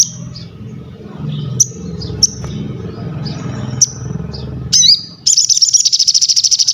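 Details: Crested jay in full voice, recorded for tutoring and prompting other birds to sing: scattered high thin whistled notes over a low hum, then a sharp twisting note and a fast dry mechanical rattle of rapid pulses to the end.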